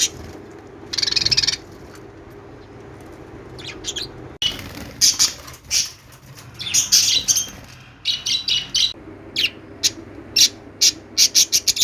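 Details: Lovebird chattering: a grating buzzy burst, then a dense stretch of shrill squeaks and chirps that break into rapid, evenly spaced clicks near the end.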